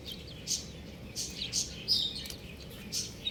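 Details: Several buff chicken chicks give sharp, high chirps spaced irregularly, some doubled, with a few softer peeps and a faint hum in the background.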